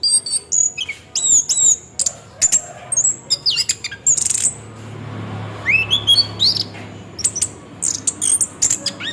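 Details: Orange-headed thrush ngeroll song used as a singing lure: busy bursts of piercing high whistles and sweeping slurs, a short pause with low background rumble midway, then rising swoops and clipped notes resuming.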